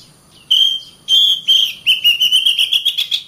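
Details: Singing oriental magpie-robin, loud clear whistles starting with long steady notes, then quickening into a series of short rhythmic repeated whistles of rising intensity.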